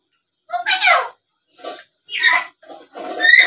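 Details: Tame black-capped lory, a talking and chattering bird used as a lure. Rough, grating squawks and a throaty voice-like phrase come in short bursts, ending with a rising whistled note.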